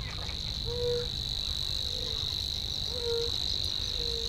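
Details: A continuous high, dry reeling trill from a Savi's warbler in reeds, steady throughout, with a few short, low whistled notes about a second apart below it.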